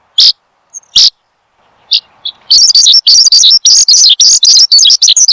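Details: A few sharp, isolated high chirps and a faint whistle, then a caged Horsfield's bushlark bursts into a fast, continuous, high-pitched chattering song, intended as a lure and master recording for cage birds.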